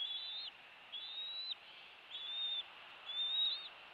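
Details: Bald eagle at a rebuilt nest on Captiva Island, Florida, filmed by nest cam on 2 February 2023 at 10:21, weeks after an eaglet hatched there on 10 January 2023; four drawn-out high thin whistles, evenly spaced about a second apart.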